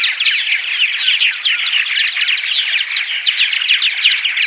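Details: Morning purple martin vocalizations meant to lure martins: a dense, lively babble of crackling chirps and gurgles from a whole group of birds, unbroken across the clip.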